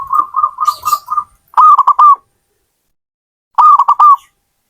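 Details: Zebra dove cooing: a soft run of five even, low coos, then two loud stuttered phrases of quick clipped notes rising and dropping, about two seconds apart.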